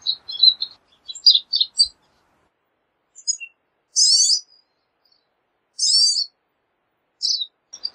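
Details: Pine siskin mixing quick high twitters with two loud, rising buzzy zreee notes a couple of seconds apart, then more short chirps.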